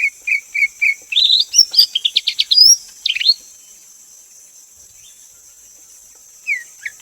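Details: Greater green leafbird song: a row of short clear whistled notes, then a quick jumbled burst of sweeping warbled phrases, a silent pause, and a few brief notes at the end, over a steady high-pitched background hum.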